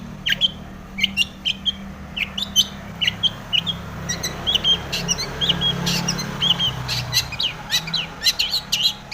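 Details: Long-tailed shrike singing energetically with mimicked tomiceng material, as bait to spur other shrikes into song. Dense irregular high chips, clicks and brief whistles continue throughout, with low background rumble.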